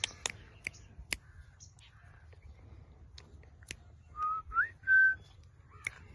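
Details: Indian ringneck parrot (rose-ringed parakeet, Psittacula krameri), blue, gives three short, clear whistles, one sliding upward and the last held level, after a scatter of sharp clicks and taps in a quiet room.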